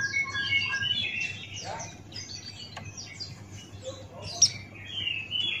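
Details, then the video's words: Male Buxtoni white-eye in 'ngalas' style song: quick scattered high chirps and short slurred notes, with pauses and a sharp bright note near the end, a faint low hum beneath. "Masteran Pleci Buxtoni Ngalas Buka Paruh"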